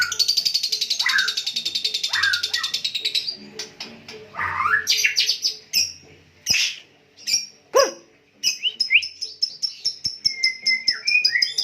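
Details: Captive white-rumped shama of the Medan type, in a conditioning stage and singing persistently: a varied song of buzzy high trills, sweeping whistles and sharp chips, separated by short pauses.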